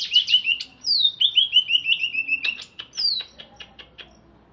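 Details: Caged greater green leafbird of wild Alas Purwo, Banyuwangi origin, freshly bathed and chattering: rapid bright trills of short notes near the top of the range, broken by two high descending sweeps and a few sharp clicks.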